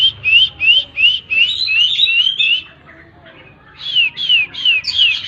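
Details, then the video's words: Oriental magpie-robin repeating quick downslurred whistled notes about three per second in two bursts separated by a brief pause. "Tembakan burung kacer"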